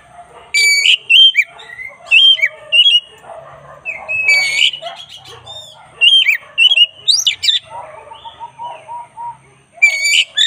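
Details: Black-breasted Oriental magpie-robin singing vigorously in a training recording for other birds: loud, varied whistled and buzzy phrases in short bursts, some with sharp rising sweeps, separated by brief pauses, over softer lower warbling in the background.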